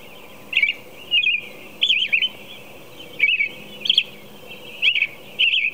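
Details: American robin singing at 4 a.m., a string of clear warbled phrases around mid-high pitch, each about a third of a second, given roughly every half second to second with short pauses; faint steady background hiss.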